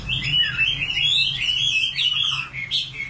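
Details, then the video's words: Singing common nightingale: a flowing run of whistled, slurred notes that dip and climb, with a few sharper accents near the end. "Singing nightingale. amazing bird song"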